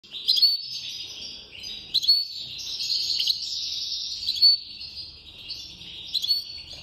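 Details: A European goldfinch in Constantine sings a fast, unbroken, high twittering with tinkling notes and buzzy trills. Brighter phrases burst out about every two seconds. No other sounds are clear.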